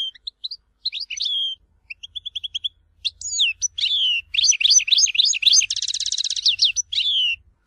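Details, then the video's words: European goldfinch performing Algerian Tizi Ouzou style song: thin spaced chirps and short whistled slurs building into lively twittering phrases, with a quick buzzy rattling trill near the end. "تغريد حسون تيزي وزو (كامل المقامات)"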